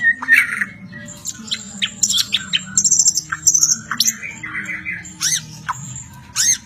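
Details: White-rumped shama song with a jumble of high chirps, sharp clicks and short whistles, dense and varied, over a low hum.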